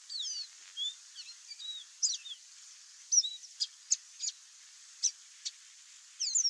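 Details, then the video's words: A wild Chestnut Seedeater (Sporophila cinnamomea), free in nature, sings high, quick whistled slurs and sharp chips, some notes rising and falling, in short bursts over quiet background hiss. "CANTO do CABOCLINHO-DE-CHAPÉU-CINZENTO livre na natureza"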